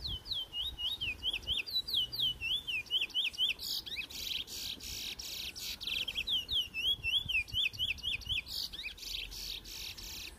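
A Trinidad bullfinch sings rapid runs of sweet slurred whistles that alternate with dry, buzzy trills, repeating about twice a second.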